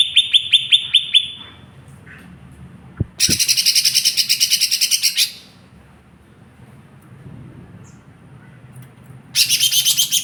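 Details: Lesser green leafbird giving fast, high, repeated sharp notes, then two long stretches of rapid harsh buzzy chattering separated by a quiet gap with faint background hum.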